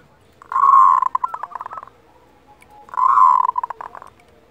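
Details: Local zebra dove giving its kerot call, used as a tutor recording to raise breeding desire and emotion in other doves: two mellow, rolling coos, each opening with a full hum and breaking into quick stuttering pulses, separated by a short pause.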